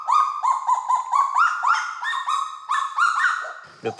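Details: Kagu family singing together in New Caledonia to mark territory, male leading with a long song and female adding a shorter one. Loud, quick series of rising, slightly nasal yelps, about four a second, with a rustle at the end.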